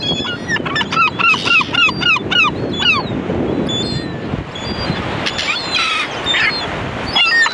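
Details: Rapid string of loud, bent, nasal gull notes, roughly four each second, opens over background rumble; the series fades into a noisy flock of overlapping squeals and screeches.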